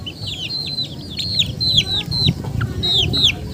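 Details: High, clear, downward-bending chicken peeps, spaced a little apart, over low rumbling background noise.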